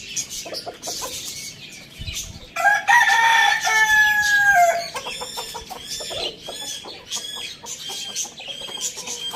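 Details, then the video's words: Rooster crowing at morning: light chirps, then a loud crow of rising then long held notes lasting about two seconds, followed by a rapid series of short clucking pulses. "Rooster crowing sound in the morning"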